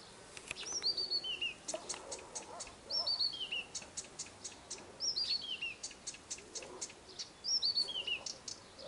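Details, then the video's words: Nightingale singing at a dacha in the Irkutsk region: high clicking notes and sharp ticks lead into clear, descending whistled phrases, repeated three times over several seconds. "Пение соловья в Иркутской области. Singing nightingale in the Irkutsk region."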